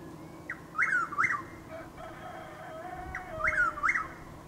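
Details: Chuck-will's-widow calling at dawn in light rain under overcast skies near Lake Placid, Florida: two crisp, whistled phrases, each preceded by a soft note, with a faint lower drawn-out sound between them.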